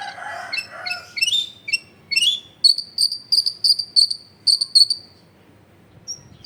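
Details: Long-tailed shrike song as a lure to make lazy birds sing: mixed chirps at first, then a steady series of about a dozen identical piercing high notes in even rhythm before fading.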